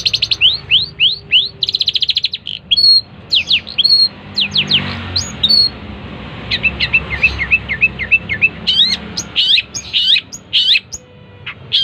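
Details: Long-tailed shrike song: bursts of sharp, high, rising and falling whistled notes in quick clusters, a quieter gap with faint murmuring in the middle, then rapid repeated chips and varied calls toward the end.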